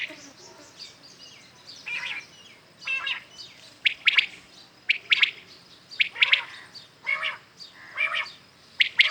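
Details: Morning calling of common quails: faint scattered notes at first, then clearer triple-note bursts repeated roughly every second as more birds join.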